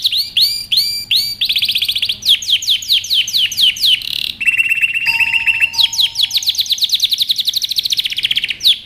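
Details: Canary in full song for training young birds: looping swept notes, evenly spaced falling chirps, a flat buzzy trill, then an accelerating series of bright rising and falling chirps.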